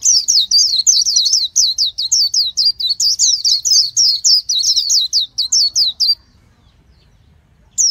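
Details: Japanese white-eye singing a fast, high-pitched warble of sharp up-and-down slurred notes, about two per second, running for six seconds before a pause and one fresh note.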